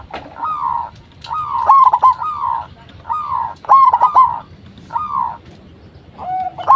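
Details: Lure song of a local zebra dove, meant to get other zebra doves calling back. Smooth falling coos alternate with stuttering rolled phrases of rapid broken notes, in repeated bursts about every second.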